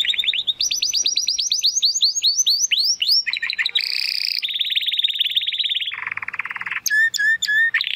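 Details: Spanish Timbrado Classico canary, a young male searching for his full song, sings a run of rising sweeps, then steady buzzy and metallic trills at several pitches, a lower rolling phrase and sharp high notes.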